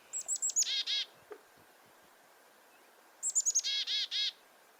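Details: Black-capped chickadee; alarm call; alarm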